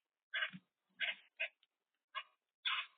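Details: Boat-tailed grackle at a bird cam uttering a quick run of rough, nasal chack-like notes, five or six short harsh bursts spaced about half a second apart.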